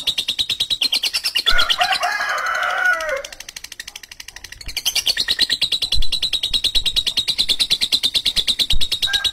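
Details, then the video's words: Lovebird in long, coarse ngekek chatter, rapid grating pulses interrupted by a burst of harsher screeching, a softer dip, then the fast rattling train returning at full strength. "Suara Burung lovebird ngekek kasar dan panjang"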